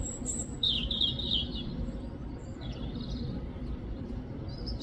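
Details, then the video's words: Robin giving a bright, high twittering phrase near the start, followed by softer scattered chirps, with a constant low hum of background noise throughout. "Chirping sound"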